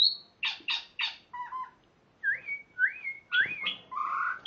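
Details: Spotted morning-thrush giving harsh buzzy bursts, then short low double notes and a series of rising, looping whistles ending in a mellow warble.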